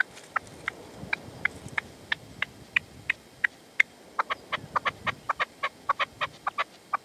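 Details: Partridge near a decoy bird (reclamo) at sunset in the sierra, Manzanares, 27 February 2014; the male would not approach. Sharp, clicking notes repeated quickly and unevenly, fainter, over a soft background hiss.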